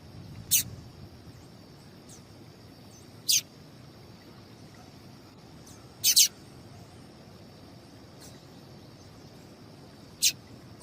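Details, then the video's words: Female seedeater (papa-capim) call, played to excite males into singing: short, sharp, high chirps, single or doubled, spaced two to four seconds apart, over a steady high electrical-sounding whine and faint low rumble. "Esse Piado de Fêmea de Papa capim é Seu Papa capim Vai Ficar Cantando RÁPIDO!!!"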